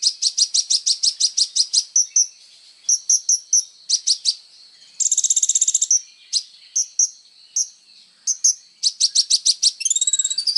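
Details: Sunbird known as kolibri ninja singing energetically, recorded as training material for other songbirds: long bursts of quick high chips, a dense buzzy trill, scattered thin whistles, and a final fast twittering series with rising sweeps.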